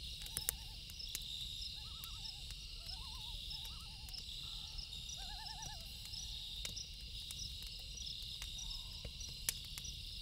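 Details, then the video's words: Loons at night near a campfire give several short quavering tremolo phrases in the first half, some doubled, then fall quiet, while a continuous high insect chorus and intermittent fire crackles continue. "Loon Calls With Campfire Sound"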